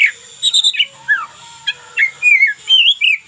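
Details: Local Oriental magpie-robin singing as a daily tutor recording: clear whistled notes rising and falling, short chips, over a constant thin high whine and faint low hum.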